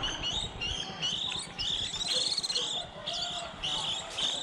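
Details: Juvenile white-eyes early in the 2020 season, recorded as a lure for trapping: bright, high chirps and short warbled phrases come in quick clusters, with a faint background murmur.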